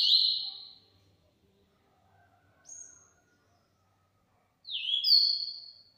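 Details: Singing yellow-bellied seedeater giving a high buzzy phrase, a soft thin whistle, then a two-part phrase of downslurred and level whistles near the end, with long silences between; a man speaks admiringly afterwards.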